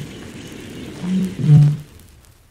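A Eurasian bittern gives a very deep, hollow booming note in two short pulses, the second louder, over a quiet outdoor background.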